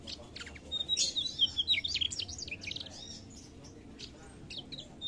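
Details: Mugimaki flycatcher in lively song: a thin high whistle leading into a fast jumble of sharp chirps and twittering notes, then scattered quieter chips as the phrase fades.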